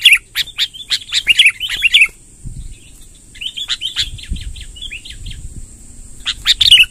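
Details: Sooty-headed bulbul long rolling song for luring wild bulbuls: a burst of loud, rapid chattering notes, a gap with soft low thumps, a quieter run of short chirps, then another loud burst, over a steady high hum.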